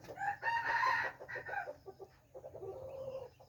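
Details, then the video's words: A crowing red junglefowl, recorded 13 September 2021, gives a rough, buzzy phrase near the start, followed by softer broken notes over steady background noise. "red jungle fowl| qaib qus txuam 2 qua zoo"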